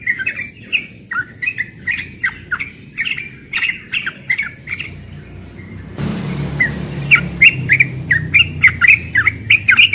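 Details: Morning ropel song of a young yellow-vented bulbul, steady quick chattering notes throughout, with a rush of background noise joining halfway.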